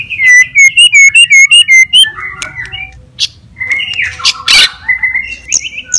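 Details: White-rumped shama singing an aggressive fighter song meant to stir other birds: a fast series of about eight repeated whistled notes, then varied warbles, harsh bursts and high chirps.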